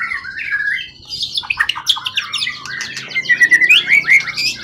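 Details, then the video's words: Wild-caught forest competition songbird, tail over 20 cm, kept in captivity for a long time and calm, in peak singing form: rich varied song of whistled slurs and rapid chattering notes, with sharp rising whistles near the end. "Burung event ori hutan ekor 20cm up lg on banget prestasi burung hutan gk giras ya rawatan lama."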